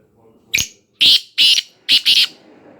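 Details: Black francolin from Khushab calling: loud, harsh, grating notes in a clipped rhythm, a thin first note, then two separate rasping notes and a final doubled one, all within about two seconds.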